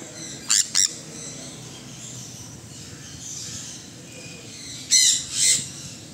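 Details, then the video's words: Sun conure giving harsh, loud squawks: a pair of short bursts near the start and two more around five seconds, separated by quiet background hiss. "sun Conure"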